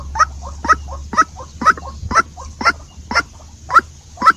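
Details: White-breasted waterhen calling: a steady series of harsh, croaking double notes repeated about twice a second, each with a shorter companion note, over a low constant hum.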